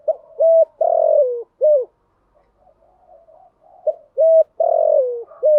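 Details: Spotted dove calling to lure and stimulate decoy doves, in thúc gù and gáy gọi call styles. The clip opens with two hooked notes, a drawn-out falling coo and a short coo. After a soft murmuring gap, the pattern repeats.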